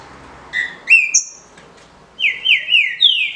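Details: Legally bred green-winged saltator performing the 'de roda' easy song: a short whistled phrase climbing to a high thin note, a pause, then four descending slurred whistles in quick succession.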